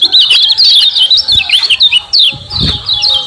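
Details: Common iora, lively lure recording meant to provoke other ioras into answering and calling; a dense stream of sharp, high chirps and short slurred whistles, rapid and irregular, overlapping throughout with faint low background rumble.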